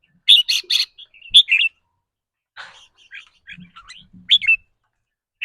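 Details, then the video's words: Caged red-whiskered bulbul giving its rapid trilling 'rik rua' song, whose style depends on the bird's mood that day: quick bursts of sharp, high chirped notes in tight clusters, separated by short pauses and scattered softer twitters. "ริ๊กรัวๆ คือเรื่องปกติ"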